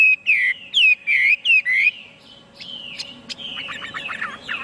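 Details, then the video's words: Chinese hwamei song: five loud slurred whistles in quick succession, then a softer passage of jumbled twittering notes. "tiếng chim hoạ mi hót cực hay"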